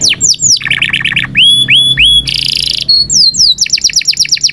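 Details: Indonesian canary singing a training song for young birds: fast falling sweeps, a run of repeated rapid notes, rising whistles, a harsh buzzy burst, then quick repeated rolling trills, loud and clear over a faint low hum.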